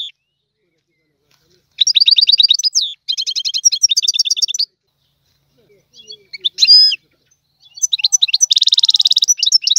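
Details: Goldfinch in tiwawati song style delivers bursts of fast ringing trills separated by pauses, with a brief scratchy phrase and a buzzy closing trill.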